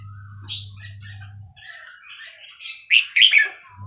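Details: Burmese-type red-whiskered bulbul from Dan Singkhon giving soft scattered chirps, then a loud quick burst of three bright, slurred notes near the end; a low steady hum opens and closes the recording.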